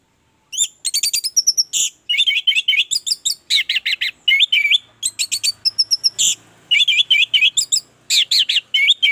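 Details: Nonstop orange-headed thrush song, used to coax other orange-headed thrushes into singing fast: a long, varied stream of sharp chirps, trills and whistled slurs with almost no pauses, and a faint low hum underneath.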